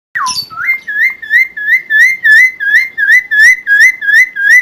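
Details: Helmeted friarbird singing loudly, a recording meant for training other songbirds: a steady run of clear whistled notes, each a short upward-curling slur, repeated about three times per second after an opening lower downward swoop.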